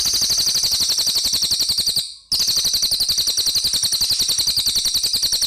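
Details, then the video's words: Vigorous cililin song: a continuous, high, buzzy chatter of fast repeated notes, about three to four per second, with one brief break partway through. "Suara Burung Cililin Gacor"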